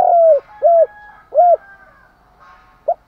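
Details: Decoy spotted dove cooing in the morning to stir up wild birds. A long falling coo followed by two short rounded coos and a clipped final note. A faint steady tone sits underneath.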